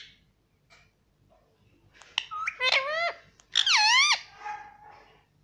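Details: Indoor pet parrot speaking the word "Mummy": two loud bursts of bright, descending, speech-like syllables in the middle, trailing into a soft hum, over faint background murmur.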